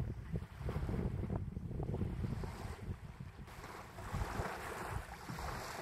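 Gusting wind buffets the microphone over a rushing, surf-like roar, with no animal voices.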